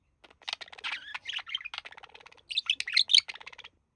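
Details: Male budgie of a relaxing pet pair mimicking human speech: continuous fast chatter of clicks, buzzy syllables and high squeaky warbles in two loud runs over about three seconds.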